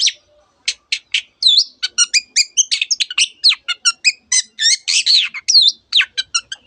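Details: Long-tailed shrike delivering dense imitations, including canary and other bird species: rapid chirps, twittering trills and looping whistled notes, nearly continuous.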